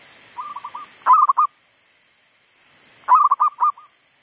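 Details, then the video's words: Zebra dove kept as a decoy bird in a garden, singing again after wild monkeys disturbed it: soft low coos followed by a louder stuttering phrase of rolling notes, given twice about two seconds apart. "Pikat andalan sudah mau manggung lagi di kebun,Sehabis di ganggu MONYET LIAR !!,sempet mogok bunyi"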